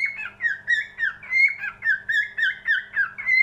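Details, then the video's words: Cockatiel singing: a rapid run of whistled, slightly buzzy notes, each dipping in pitch, repeated about three times a second in steady pulses with clear bright overtones, a quiet low hum underneath. "Best Cockatiel singing"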